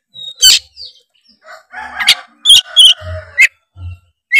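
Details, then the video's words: Oriental magpie-robin, locally kacer, singing tretes-style to push other birds into song; harsh rasping bursts over a murmur of lower warbling, then clipped whistled notes, with low thuds. "pancingan kacer tretes gacor ngeplong bikin kacer lawan auto gacor ngeplong denger suara kacer ini"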